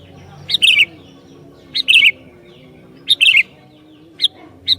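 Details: Lively sooty-headed bulbul provoking other bulbuls with repeated bubbly phrases: three full warbled chuckles, then two clipped high single notes, quick and bright, with a quiet low background drone.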